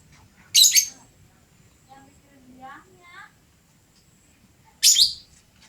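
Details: Lovebird described as very vocal and chattering; two loud, harsh, shrill screeching bursts about four seconds apart, with faint murmuring speech-like sounds in between in a quiet indoor setting.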